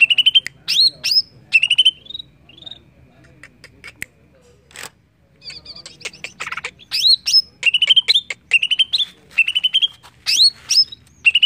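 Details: Greater green leafbird song played to prompt singing: rich, varied whistled phrases with rising and falling slurs and sharp chips, bursts separated by brief pauses.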